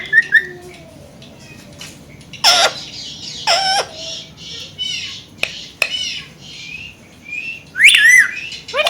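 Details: Pet Indian green ringneck parakeets, a family kept together, vocalizing at a mirror. Harsh screeches and sharp squawks burst out irregularly over a noisy room background, with a few thin rising whistles.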